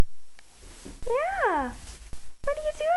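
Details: A young female monk parakeet, very excited, gives drawn-out, nasal, rising and falling calls, almost like a meow.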